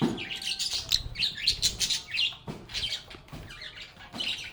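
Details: Lovebirds singing and chattering together: fast, busy high twitters and squeaky chirps in clusters, roughly one to two notes per second, brief quieter gaps, several birds overlapping.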